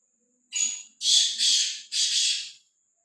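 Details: Free-moving, bold black francolin calling: one short harsh lead note and three longer grating rasps in a regular rhythm, a faint low background hum beneath.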